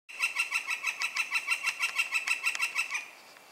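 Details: Northern flicker, hidden from view, drumming and calling on an old tree: a rapid, steady run of about seventeen high, sharp kek notes over three seconds, then fading to quiet.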